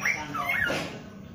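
A male samyong gives a brief phrase of clear whistled notes that slide downward and rise, then fade against a faint low background hum.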